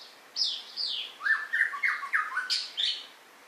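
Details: White-rumped shama song: a loud, varied run of sweet whistled and slurred phrases, some high and falling, others lower and rising, delivered in quick bursts with short pauses in a quiet setting.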